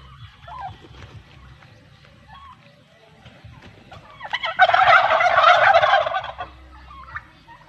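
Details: Male turkeys separated from the hens at a shelter break into a sudden loud, dense gobble lasting about two seconds, preceded by scattered softer notes and followed by a few quieter calls.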